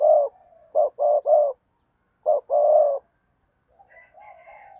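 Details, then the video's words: Decoy spotted dove giving low hollow coos in two bursts of clipped notes and longer croons, then a faint higher, softer call at the end. "cu gáy kích bổi nhanh nổi/ cu gáy mồi cây thúc gù bài bản"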